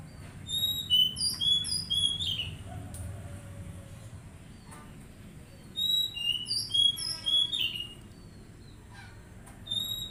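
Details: An Oriental magpie-robin sings in a therapy recording for untrained birds: a burst of sweet whistles at the start, a long quiet stretch, then another quick run of whistled and chattering notes.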